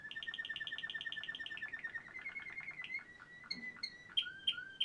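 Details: Waterslager canary from Quetta in song: rapid even roll of repeated notes, shifting into higher ringing tones and a few sharp bright whistled notes near the close.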